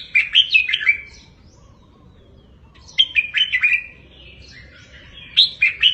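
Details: Tutor song from a caged red-whiskered bulbul for other caged birds to learn, in the double 3-4-5 style. Three brisk phrases of liquid, chirpy, rising and falling notes are separated by about a second of near-silence.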